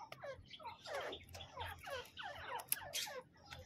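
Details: Male and female grey francolin, known locally as teetar, calling in a dense run of harsh, downward-sweeping notes, overlapping and repeated rapidly over a low background hum.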